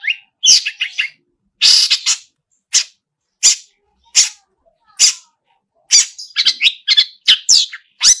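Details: Long-tailed shrike delivering a mimicry-rich song, with scattered harsh, scratchy single notes spaced about a second apart, then a busy run of chattering, squeaky phrases.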